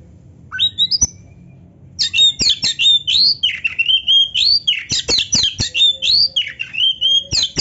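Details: Oriental magpie-robin in vigorous filled song (gacor, full isian, narung) while flaring its tail: a couple of opening whistles, then an unbroken, rapid string of loud, high, slurred and trilled whistles with scattered sharp clicks.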